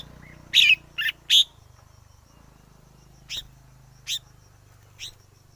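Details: Forest red-whiskered bulbul: three loud, rich warbled notes in quick succession, then three thinner chirps about a second apart, against a steady low mechanical hum.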